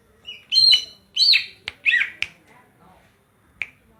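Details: Greater green leafbird of Banyuwangi origin with a kapas tembak fill. Rich warbled and looping whistled phrases come between sharp clicks, and a few softer notes follow.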